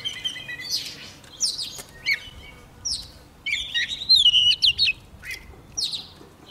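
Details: A young Oriental magpie-robin sings hard at the approach of a wild bird. Scattered buzzy chirps lead into a clearer, rapid whistled phrase midway, then more separate sharp notes.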